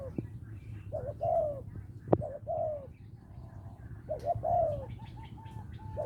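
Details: Lopburi, Thailand: a small-voiced spotted dove calls to a mate with hollow, low coos. Quick doubled notes lead into longer falling notes, with a loud click early on and faint chirps from other birds toward the end.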